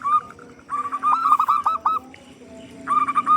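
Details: A loud local zebra dove sings to lure other doves into singing. Bursts of quick, clipped, whistled coo notes alternate with a few lower single notes and short pauses.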